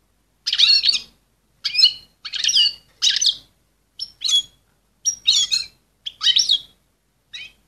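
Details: Excited female European goldfinch calling to stimulate males. Bursts of bright, twittering, buzzy notes come in short clusters about once a second, with clean silences between them.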